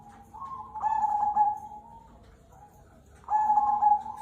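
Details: Zebra dove of the cemani kolbuntet variety, singing actively: soft cooing phrases near mid pitch, a long drawn coo followed by a louder, brighter trilled phrase that starts a second burst after a pause.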